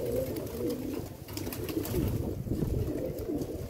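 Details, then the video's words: Repeated soft pigeon coos, short low rolling notes spaced about every half second over a steady background hum. "the sound of pigeon"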